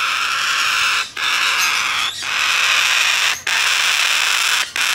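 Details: Blue-eyed cockatoo chick, domestically bred and hand-tame, filmed 14 September 2019: continuous grating, hoarse squawks of roughly one to one and a half seconds each, broken by short pauses.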